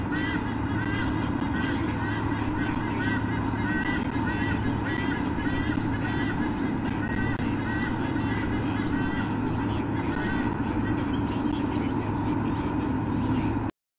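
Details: White-bellied sea eagles at their nest in Olympic Park, Sydney, Australia, during a nest visit, 13 October 2014: repeated nasal honking squonks in quick succession over loud steady hum and broadband noise.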